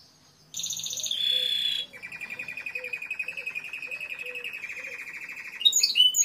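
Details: Timbrado canary singing: after a brief pause, a buzzy high note gives way to a long, even, rolling trill pulsing steadily at a middle pitch, closing with sharp high chips.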